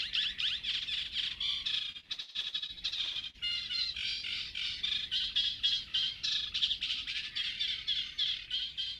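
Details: Common reed warbler, a migratory bird, singing at Urdaibai in the Basque Country: fast, grating chatter of repeated harsh notes, a brief pause near two seconds, then continuous jerky churring.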